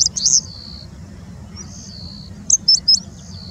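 A Bengal bushlark sings thin, very high chirps and a drawn-out falling whistle, mimicking a citrine wagtail.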